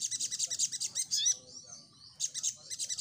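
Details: Crimson sunbird song meant to provoke answering birds: rapid high-pitched chips, a brief twittering slur, a quiet gap, then the quick chip series resumes.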